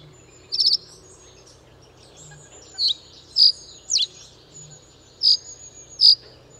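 Reed bunting giving six short, sharp high notes, some slurring downward, spaced about a second apart, over a thin insect-like whine and a faint low hum.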